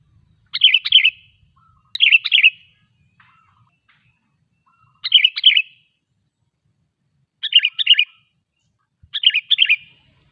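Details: Prolific sooty-headed bulbul song, played to make other bulbuls sing or to attract wild birds in forest: five lively, liquid chattering phrases in irregular succession, with a few quiet thin notes and a soft tap between.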